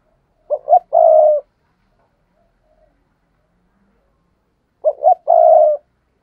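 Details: A spotted dove coos as a lure for wild doves. Two phrases about four seconds apart, each made of two brief throaty notes and a long steady coo, with quiet gaps in between.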